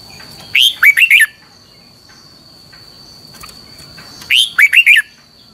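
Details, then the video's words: Red-whiskered bulbul training song in the double twisted long style, used as decoy song to teach other bulbuls: two phrases, each a rising whistled note then three quick slurred chirps, about four seconds apart, over a steady high whine. "luyện giọng cho chào mào hót hay - Giọng kép xoắn dài"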